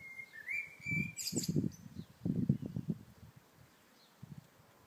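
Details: Blackbird singing in the morning: a clear, level fluted whistle ends in a brief high squeaky twitter, while low rumbling thumps run through the rest.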